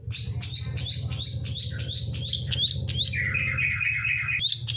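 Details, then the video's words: Long-tailed shrike song used to coax silent shrikes into song. Rapid upslurred whistled notes repeat almost three times a second, then give way to a lower buzzy trill, over a steady low hum. "suara panncingan cendet agar bunyi dan gacor"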